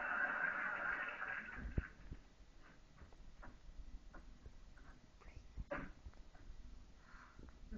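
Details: A pet monk (Quaker) parakeet, feeling cuddly, gives a brief burst of harsh, raspy chatter, then goes quiet apart from soft clicks.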